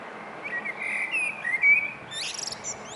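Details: Common starling singing on a roof: drawn-out whistled notes wavering and sliding upward, then a burst of high clicking, rattling phrases.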